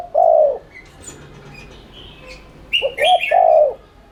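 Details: Lure cooing of a spotted dove in 'thúc liên thanh' style, meant to stimulate other doves: a long low coo ending one phrase, a pause with faint chirps, then a short rising double note and another long coo over brief high twittering.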